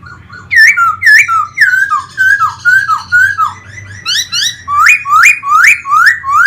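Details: Laughingthrush kept as a cage bird in Vietnam, singing and fan-dancing; a fast series of about thirteen looping whistled notes, first falling then sharply rising, in steady rhythm.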